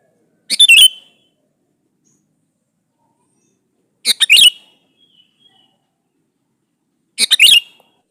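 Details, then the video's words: Male sooty-headed bulbul calling to a female, used to draw bulbuls into answering: three bubbly, chattering phrases of quick notes, spaced about three seconds apart with silence between. "suara burung KUTILANG jantan gacor memanggil betina"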